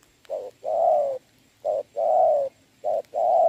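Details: Spotted dove decoy calling in the rain while facing a wild dove, recorded 26 November 2022 during trapping. Three paired coos: a short note, then a longer, slightly falling note. Each pair repeats about every 1.3 seconds. Faint steady hiss behind.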